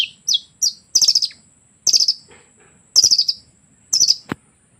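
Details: Long-tailed shrike singing an imitation of canary and lovebird sounds: short high descending whistles followed by bursts of rapid scratchy chatter, each phrase roughly a second apart, against a quiet background.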